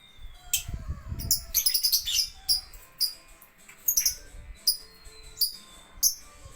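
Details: Lovebirds at a bird playground: sharp, high chirps in quick clusters, some with thin sliding whistles, over low rumbling background noise.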